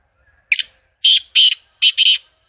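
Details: Black francolin (kala teetar) of the Sindhi strain calling: loud, harsh, grating bursts, one single then two quick pairs, each short and rasping, in an otherwise quiet setting.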